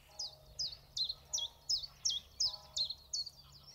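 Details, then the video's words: Common chiffchaff singing at the Zouweboezem, one of many back in the country in spring, filmed on a weekend with a compact Sony Cybershot camera: about nine sharp, high chiff-chaff notes alternating in pitch, one roughly every 0.4 seconds, over faint low background hum. "De tjiftjaf massaal weer in het land"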